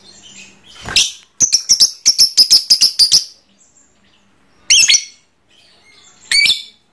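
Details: Pet trondol lovebird chattering in the long ngekek style: a fast burst of about ten sharp, high chirps, then two short separate squeaky bursts after pauses, in a quiet room.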